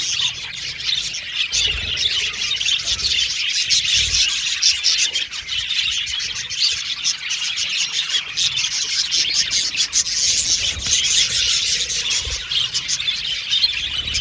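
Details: A flock of budgerigars singing and playing, producing a long, dense, high-pitched chattering of chirps and twitters with many birds calling at once and no pauses.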